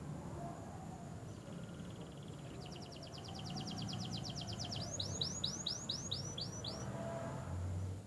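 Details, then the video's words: Domestic canary kept at home for 23 days, singing actively: a fast high buzzy trill of even repeated notes, then a slower run of bright sweeping whistled notes, over steady low background rumble. "burung kenari gacor baru 23 hari d rumah"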